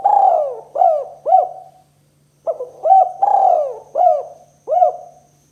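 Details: Spotted dove giving its two-note 'kuk 2' cooing call, used to lure doves for trapping. Low, soft, hollow coos come in pairs and short runs, with a long drawn coo and then quick clipped notes and a pause.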